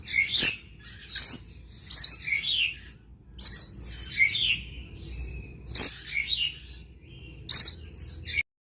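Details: Lorikeet repeating harsh, piercing screeches in clustered bursts roughly every one to two seconds, each with sharp onsets, over a faint low hum.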